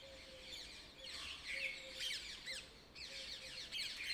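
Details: Birds chirping early in the morning, dense bursts of quick sweeping high notes repeating rapidly and overlapping, over a faint low hum.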